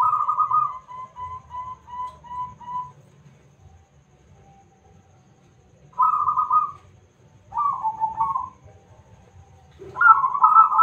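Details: Lure song of a local zebra dove with a big voice: a clear, mellow coo breaks into a stuttering series of quick repeated notes, then after a silence come separate rich coos and a vibrating trill.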